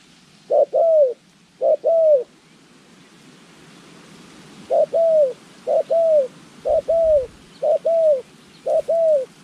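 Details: Spotted dove trained as a trapping decoy, recorded January 14, 2020: low, soft paired coos repeated about once a second, with a pause between the second and third pairs, over a steady background hiss.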